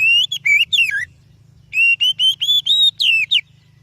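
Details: Lure song of an oriental magpie-robin: a group of four rich, falling whistles, a brief pause, then a run of steady, slightly rising whistled notes that end in a downward slur. Soft low hum behind.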